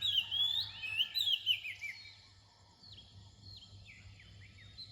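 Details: Near dawn, an Oriental magpie-robin gives loud looping whistled phrases for two seconds, then softer descending slurred notes and thin whistles, with a constant low background hum.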